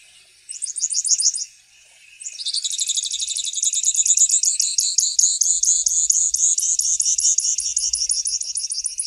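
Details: Grassland yellow finch singing: a brief high trill, a short pause, then a long, fast, buzzy series of repeated notes that continues steadily without a break.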